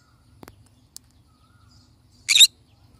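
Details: A single brief, rasping screech from a pineapple conure parrot, sharp and noisy, after a few faint taps in an otherwise quiet indoor setting.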